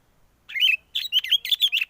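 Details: Sooty-headed bulbul trapping-lure song heard through strong wind: a rapid, lively run of sharp, chirpy, bouncing notes after a short silence.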